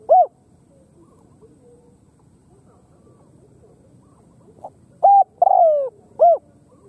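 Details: Khmer spotted dove giving one short arched note, then after a pause a full phrase of level coo, long falling croon and arched closing note; faint background murmur.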